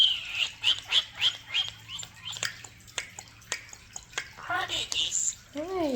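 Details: Talking common starling in an indoor bird room: a run of short whistled notes repeated about every third of a second, then clicks and a warbled phrase, with a woman speaking affectionately.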